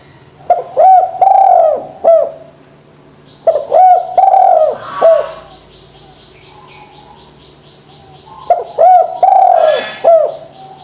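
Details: [['Spotted dove recorded as a lure to make idle doves sing: three phrases of quick stuttering coos, each ending in a drawn-out hoarse note and a clipped final hoot, with brief rustling noises between.']]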